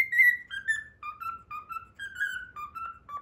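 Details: Pet cockatiel whistling the learned Pythagora Switch opening theme: a string of clear whistled notes, starting high and falling, then short stepped notes near one pitch with bright overtones, with faint low room noise beneath.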